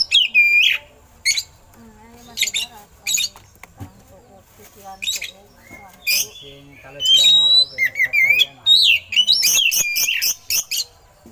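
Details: Oriental magpie-robin (kacer) song filled with eagle-call imitations, used as a master recording to train other songbirds; loud sharp whistles, rising and falling slurred notes and harsh noisy bursts come in quick irregular phrases with short pauses.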